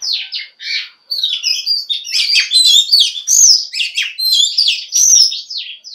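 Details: Oriental magpie-robin female, sung to stir males into singing: a dense, continuous stream of varied warbles, chirps and buzzy notes with shifting pitch, a brief gap after the opening phrases.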